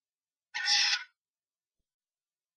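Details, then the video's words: Common starlings fighting inside a nest box after a strange starling enters the box of a pair, three birds involved; one harsh, broadband screech lasting about half a second, then near silence with a faint click at the end. "3 Spreeuwen vechten in de Spreeuwenkast."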